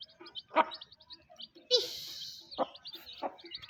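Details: Mother hen calling her chicks to eat: short, low, husky clucks spaced about a second apart, over constant high, rapid peeping from the chicks, with one brief noisy burst in between.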